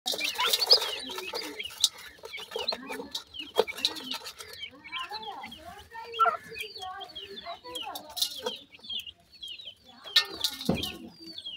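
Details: Wild grey francolin chicks being fed termites and homemade food; dense, overlapping high thin peeps and chirps, many short rising and falling notes, with a few louder bursts and faint handling noise.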